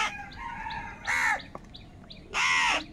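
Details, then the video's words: Crows squabbling over food give two loud, harsh, drawn-out caws about a second apart, while softer calls from other birds sound faintly in the background. "Very loud voice of Crow sound - Crow sound of kaka | Crow bird unity anger and sound for food"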